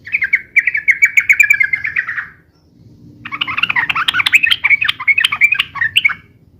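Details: Sooty-headed bulbul (trucukan) song used for lure-calling and tutoring, described as long and rapid: two bursts of fast, chattering, slightly descending notes, the second busier and more jumbled, with faint low hum beneath.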